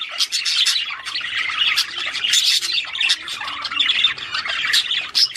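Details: Australian budgerigars singing to encourage mating: dense, continuous high chattering warble of buzzy squawks, clicks and chirps overlapping without pause.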